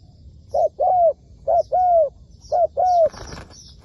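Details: A trapping decoy spotted dove coos three times in a brief-then-long rhythm, each phrase about a second apart, followed by a burst of wing flapping. Distant high chirps from other birds.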